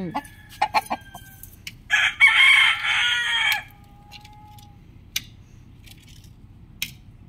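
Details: Rooster crowing, one of many roosters in a compilation: a single loud, coarse crow of about two seconds, preceded by several sharp clucks or clicks and followed by a thin whistle and scattered ticks.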